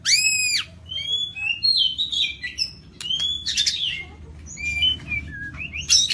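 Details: Lampung white-rumped shama in gacor song with full isian: opens with a loud, rich descending note, followed by clear whistled phrases, harsh rasping bursts and high squeaky notes, spaced with brief pauses.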